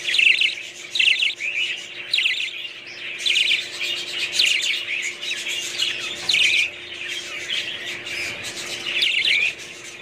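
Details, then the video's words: A group of budgerigars keeps up busy warbling chatter: bursts of fast, scratchy, twittering notes rise and fall in loudness every second or so, with a faint constant hum underneath. "budgies parrots"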